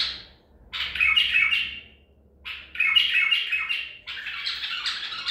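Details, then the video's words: Baghdadi-style white-eared bulbul, a trapped bird from Medical City, 14 April 2021: three full, scratchy-warbled phrases of over a second each, separated by short pauses, over a low background hum. "تغريد بلبل طور بغدادي"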